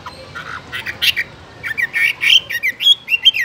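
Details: Caged Chinese hwamei giving harsh, squawky notes that turn into short bright whistled slurs, rising and falling in quick succession over a faint background hiss.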